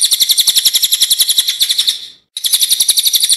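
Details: Cililin in full song for songbird training: a harsh, rapid string of high sharp notes that fades out, a brief pause, then the same fast repeated phrase starts again.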